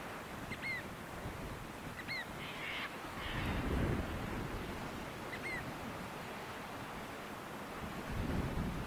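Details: Pied oystercatcher parent with 15-day-old chicks on a beach edged by mangroves, defending its nesting spot: three or four sharp, downslurred 'kleep' calls a few seconds apart over steady rumbling surf and wind.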